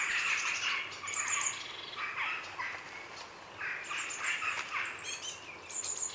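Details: Grey herons at a heronry in the afternoon give a dense, rapid rattling chatter of harsh, clattering notes, with jackdaws and a blue tit in the background adding thin high whistles.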